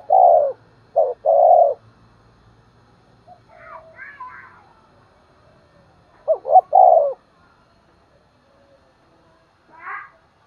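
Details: Morning lure call of a decoy spotted dove used to attract wild birds: a short run of three hoarse coos, a pause, then a second similar burst, with faint chirps from other birds between them.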